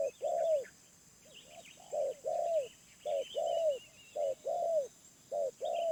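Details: Spotted dove in the wild giving medium-pitched coos, short notes followed by longer arched hoots, repeated many times, while other small birds chirp and trill faintly behind.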